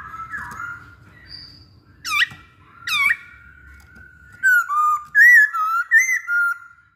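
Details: Masked laughingthrush song used to prompt other birds to sing: two sharp downward-swooping notes, then a loud string of clear, slurred whistles rising and falling in pitch.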